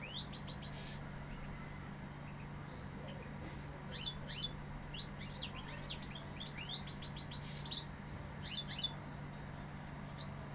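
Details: Goldfinch from Seville singing in scattered bursts of bright twitters and buzzy notes, quieter stretches between phrases, a low steady hum throughout.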